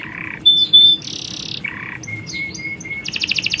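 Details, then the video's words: Canary colony of males and females, females calling the males while a male sings loudly: varied phrases of buzzy trills, a pure sustained whistle, short repeated notes and a fast rattling trill at the end. "Kicauan Kenari Koloni Jantan&Betina!"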